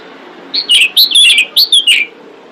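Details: Female pied bushchat giving a call to draw in males: a quick phrase of about seven sharp, slurred whistles, bright and high, some notes rising then dropping, over steady background hiss.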